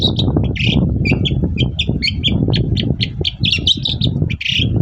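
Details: Long-tailed shrike singing in the morning to make other shrikes answer: rapid, jerky sequences of short chirps, buzzy notes and sliding whistles, packed tightly together, over loud, continuous low-frequency rumble.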